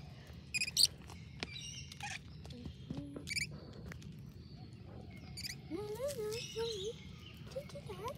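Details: Scaly-breasted lorikeet (Trichoglossus chlorolepidotus) feeding on concrete gives short, harsh, high screeches in brief bursts every second or two, with lower squeaky warbling notes and a person's voice in the background.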